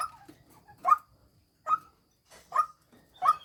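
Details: Four harsh, slightly broken croaks from a female white-breasted waterhen used as a decoy, spaced under a second apart, with faint low noises between calls.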